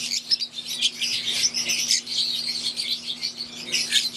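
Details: Wild-type green Fischer's lovebirds kept in an aviary alongside Euwing lovebirds, chirping together as a flock: dense, overlapping high twittering and squeaky chirps that run without pause, with a steady low hum underneath.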